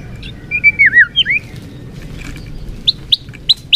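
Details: Quieter white-rumped shama lure phrase for rousing a sluggish murai batu: a few soft, wavering whistled notes followed by four sharp, high upslurred chips spaced evenly apart.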